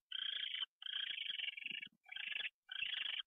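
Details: Owl arriving at dawn, 6:14 AM on 27 January 2013, during its morning fly-in; four harsh, hissing, raspy bursts of about half a second each, separated by short gaps, with faint low knocks beneath.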